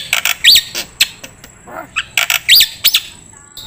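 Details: Black-winged starling song played as a training recording for songbirds: short bursts of harsh chattering notes mixed with clear upslurred whistles, repeated in two similar phrases about two seconds apart, with quiet background.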